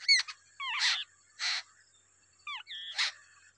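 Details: As a wild babbler feeds two young, short squeaky downslurred notes alternate with harsh, breathy hissing bursts, separated by brief pauses.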